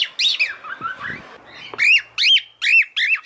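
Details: Female cockatiel calling for the male; a few softer warbled notes, then four loud shrill upslurred-downslurred whistles about half a second apart.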